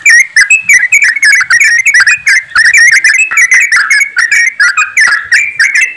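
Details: Yellow-vented bulbuls singing as a flock, used to prompt other birds into song. Dense, chattering, liquid phrases overlap without a break, with bright rising and falling whistled notes.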